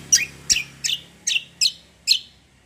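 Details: Bulbul giving six loud, bright, sharply descending chirps, spaced about every third to half second, over a faint low hum.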